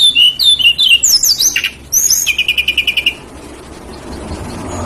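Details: Lesser shortwing song used to attract other birds: quick high slurred whistles, then a rapid even series of about ten clipped notes, then quiet with soft background noise.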